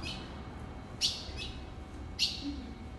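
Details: Ultramarine grosbeak call: two crisp, high metallic chips about a second apart, with a fainter note between, over a constant background hiss.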